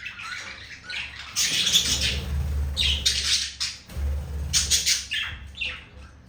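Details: Male green budgerigar trying to flirt with a female in a room, giving scratchy bursts of high squawks and chirps separated by short pauses, over a low background rumble.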